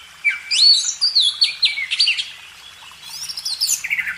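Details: Magpie robin, a training recording for cage birds: rising and falling clear whistled phrases, then a short pause, then a rapid run of sharp chirped notes.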